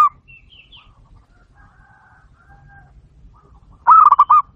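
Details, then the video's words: Local zebra dove recorded as a lure for other doves: faint background twittering, then one short, loud phrase of fast rolling coos near the end. "masteran burung perkutut lokal gacor dor"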